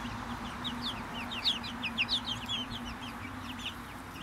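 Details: A cheerful bunch of Brahma chickens gives rapid high chirps that sweep downward, roughly two a second, with a few sharper, louder peeps near the middle and a faint low hum behind.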